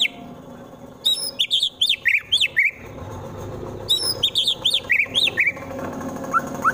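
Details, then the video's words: White-rumped shama from Wonosobo, Central Java, singing harsh 'tembakan' bursts meant to provoke rival birds into fighting: two rapid runs of clear, slurred whistled notes, each falling and rising, with a few soft lower notes at the end. "MURAI BATU FULL TEMBAKAN KASAR Sangat Cocok Dijadikan Lawan agar cepat Emosi dan Fighter"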